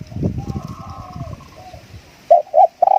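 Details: Decoy spotted dove cooing: a noisy low rumble and faint distant coos give way to three loud short coos near the end, the last one drawn out.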